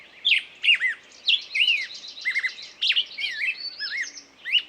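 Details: Bird singing loud, sharp whistled notes, some sliding downward, between thinner buzzy trills, with short pauses between bursts.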